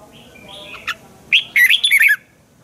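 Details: Spirited caged red-whiskered bulbul in training song: soft thin notes lead into one loud burst of quick, bubbling, up-and-down whistled notes.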